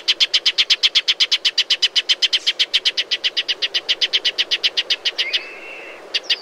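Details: Shining sunbird in desert habitat, with a long, fast chatter of sharp repeated notes that stops abruptly, followed by a short level whistle and a final few notes.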